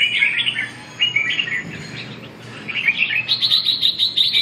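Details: Red-whiskered bulbul (chào mào) during a song training session recorded 2 June 2012: bright warbled phrases of quick rising and falling notes, a pause near one second, then a rapid run of short clipped notes toward the end.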